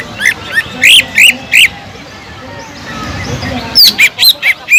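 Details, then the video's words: Greater green leafbird singing kingfisher-like notes as a lure for other birds: four loud, buzzy, rising-falling chirps, a quiet pause, then a fresh burst of sharp whistles. "PANCINGAN CUCAK IJO GACOR ISIAN ISTIMEWAH TENGKEK UDANG"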